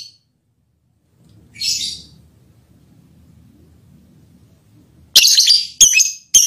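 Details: Lovebird mating call said to affect the male partner: one harsh high screech, a quiet stretch of low background murmur, then a quick burst of three sharp, shrill squawks close together.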